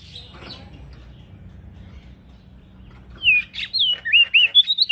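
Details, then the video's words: Male prinia singing actively, used to train other birds: buzzy notes and low background hum, then a rapid run of loud, swooping whistled notes in the last two seconds. "Prenjak daun Jantan gacor"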